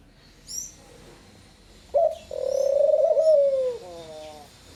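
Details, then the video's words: A Picazuro pigeon sings one sharp opening note, then a sustained throbbing low coo that dips at the end into a short falling phrase. High thin chirps of small birds come before it. "O CANTO DA POMBA BURGUESA"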